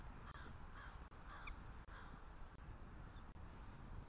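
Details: An eagle pair, male and new female, call while mating on their Southwest Florida nest's attic, morning of 1 October 2023. Blurred, bright call notes come early in a quick run, then fade into low wind rumble.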